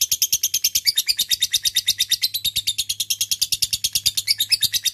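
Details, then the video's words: Lovebird delivering sustained ngekek chatter to lure and call a rival: continuous bright, high, rasping pulses at a brisk steady rate, with a faint low hum underneath. "lovebird akan kepancing ngekek panjang setelah di dengar pancingan ini"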